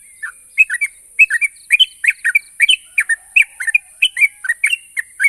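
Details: Yellow-vented bulbul song for getting mute birds to reply: a dense, chattering stream of bubbly chirps, rising and falling, almost continuous, with a steady high whine and faint short dashes in the background.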